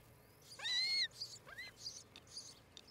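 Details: Osprey (Pandion haliaetus) at a nest cam in Charlo, Montana, July 14, 2018, around 8 a.m., where a pair is nesting: a loud, clear, high half-second whistle, then a shorter rising whistle and faint scratchy bursts.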